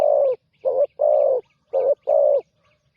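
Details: Spotted dove, a newly trained decoy bird on its first training outing, giving deep hollow coos in a run of five notes, two short and three longer, with brief gaps between them and no other clear sounds.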